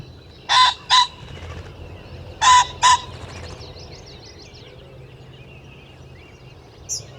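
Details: Ring-necked pheasant, a species whose males crow year-round and whose roosters cackle when flushed: two pairs of harsh, loud, rasping two-syllable squawks about two seconds apart, over a low steady rumble of background noise.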